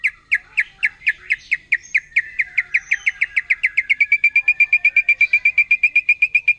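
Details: Wild white-rumped shama from the forest, singing a song said to provoke other shamas: a fast, accelerating series of sharp whistled notes on one pitch, about four per second, becoming a rapid even trill.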